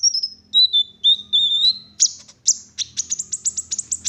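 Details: Olive-backed sunbird in rich 'isian mewah' song, a lure to get other sunbirds singing: slurred whistled notes at a slightly lower pitch give way to a fast, evenly repeated series of high ticks.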